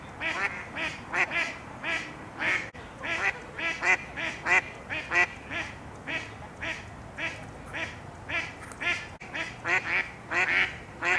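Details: Several female Mallards argue over males in the mating season, their quacks tumbling over one another in a dense, rapid, overlapping chorus of nasal calls lasting the whole stretch.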